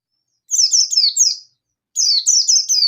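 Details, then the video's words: Two dense bursts of rapid, shrill, descending chirps, each about a second long, from an agitated local yellow-breasted Oriental white-eye singing in 'ngalas nembak' style to call out a rival. "Pleci Ngalas Nembak Memanggil Lawan || Suara Burung Pleci Gacor Ngalas Nembak emosi"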